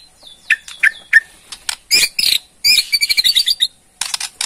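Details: Borneo white-rumped shama ketrekan used to draw a reply: a few sharp whistled notes with a held tone, then harsh buzzy bursts and a quick stuttering rattle before final chips.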